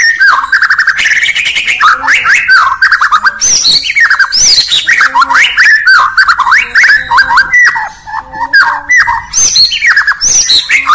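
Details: White-rumped shama, called Murai Batu, from Indonesia, singing in the morning: a long, loud, unbroken stream of rich warbles, rising whistles and chirps, with soft low notes beneath.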